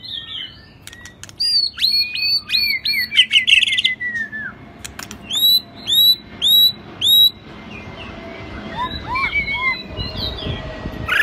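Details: White-rumped shama, shrimp-tail type, in 'rít thuốc lào' song: quick repeated rising whistled notes, then five loud evenly spaced high notes about a second apart, ending in soft warbles over background hiss.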